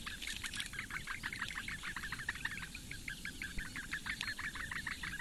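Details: Four bittern nestlings at a webcam nest in Latvian reedbeds begging as the female brings breakfast in May 2017; an unbroken chatter of short, sharp chirps, roughly three every second, steady in loudness.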